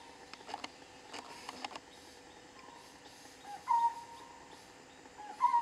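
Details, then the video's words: Juvenile honey buzzard giving two thin, drawn-out whistled calls, one in the middle and one near the end, against quiet background with faint clicking sounds early on. "Juvenile honey buzzard"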